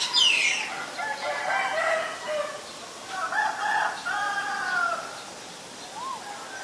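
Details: Asian barred owlet uttering rolling, chattering notes in several uneven bursts, with a sharp higher chirp at the start and a brief upslurred whistle near the end.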